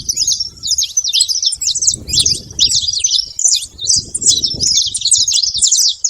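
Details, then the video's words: Saffron finch making a lot of noise at the feeder: rapid, high, dense chattering trill of short sharp notes, continuous throughout, with low rumbling background noise. "canário da terra fazendo muito barulho na seva"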